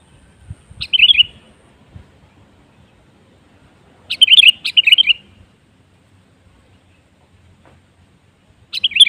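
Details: Sooty-headed bulbul song played as a lure to get other birds singing: brief, bubbly whistled phrases of rapid, wavering liquid notes, given near the start, twice in quick succession midway, and again at the end, with quiet gaps between.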